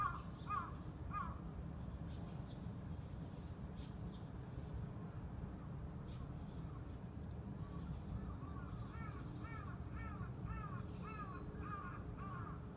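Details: A crow calls 'kaa, kaa' outdoors, startling a pet budgie into freezing: a few rough caws open the recording, then after a pause a longer, steady string of about eight hoarse caws, over a constant low background hum.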